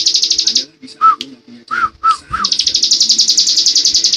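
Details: Bar-winged prinia in 'ngebren' style, a high rapid buzzy trill that stops for a series of separate lower slurred whistled notes and short chips, then resumes as a steady, fast, pulsing trill.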